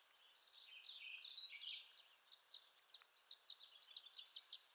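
Violet-green swallow giving thin, high chips and twitters, first in a jumbled burst, then as short notes repeated several times a second over a faint background hiss.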